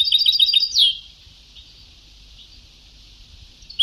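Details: European goldfinch on an old Sebtawi-style song tape: a rapid burst of high twittering notes with a bright downward slur, then a fading, faint buzzy tail with low background hiss.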